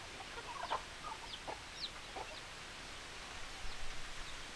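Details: Chickens giving a few short, low clucks early on, spaced under a second apart, then thin high chirping notes and quieter clucks over a low, even background hum.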